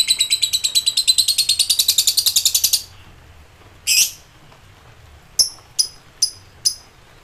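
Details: Ngekek from an agitated lovebird summoning rivals, opening with nearly three seconds of rapid, rattling high chatter, then a single harsh burst and four separate thin chirps.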